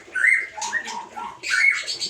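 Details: White-rumped shama (murai batu) in a captive colony mini-aviary where 16 females have just been released, on a hot day after drizzle, giving rich, varied whistled song phrases with buzzy accents in quick bursts and a lower warbled note between phrases.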